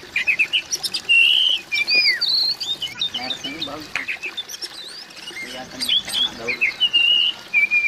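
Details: Oriental magpie-robin calling, used to coax silent magpie-robins into singing: clear slurred whistles, some rising and some falling, mixed with short chirps and rapid broken bursts, with faint lower chatter in the background.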